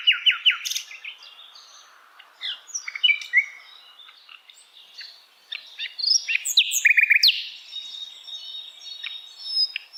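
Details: Tutor recording of Asian brown flycatcher song for songbirds to copy: bursts of rapid high chirps and twisting notes separated by quieter gaps, with thin whistles throughout.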